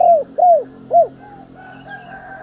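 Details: Spotted dove coo used to provoke fighting and for morning calling: three clear arched notes in quick succession, each rising then falling. Steady sustained tones continue quietly after them.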